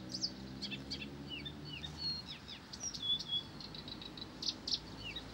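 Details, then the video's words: Blyth's reed warbler heard fairly faintly, pouring out a fast sequence of curved whistles, clicks and a longer clear whistled note, over steady low hum. "САДОВАЯ КАМЫШЕВКА НЕ В СИЛАХ ПОМОЛЧАТЬ!"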